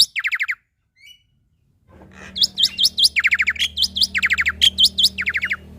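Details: Singing male black-winged starling, a tutor song for young birds: a short burst of descending chirps, a brief pause, then a fast stream of hooked, whistled notes repeated roughly twice a second, over a steady low hum.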